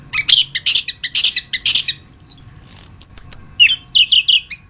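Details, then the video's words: Chestnut-capped thrush master song for tutoring cage songbirds, a rich mix of harsh buzzy bursts, a high hissing note and clear rising whistles delivered in a fast continuous stream. "suara anis kembang masteran"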